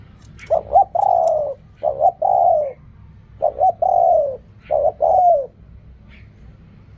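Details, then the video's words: Slow spotted dove song in the 'khu kham, ok rong' style: three phrases, each a quick double coo followed by a long, smooth, slightly falling coo, about every one and a half seconds. "เรียกคำ คูคำ อกร่อง เสียงนกเขาใหญ่"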